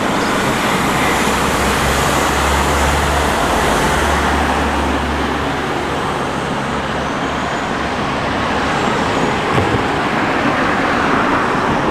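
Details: Steady road traffic rumbles throughout, with engine drone and passing vehicles and no animal calls standing out.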